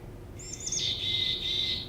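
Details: Mountain Chickadee call, broadband and buzzy: two thin, high opening notes, then a harsh, buzzy 'dee' note held for over a second, over a faint low hum.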